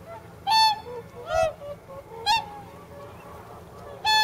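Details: Whooper swans at a pond in Nagamine, Nishiyama-machi, soon before migrating north, nearly 300 birds present; loud, ringing trumpet-like honks, four separate calls spaced about a second apart over low background murmur.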